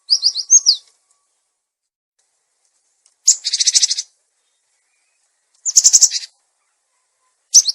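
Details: Cinereous tit lure recording for tutoring caged birds: a short phrase of high slurred chirps followed by harsh, buzzy rattling chatters repeated several times.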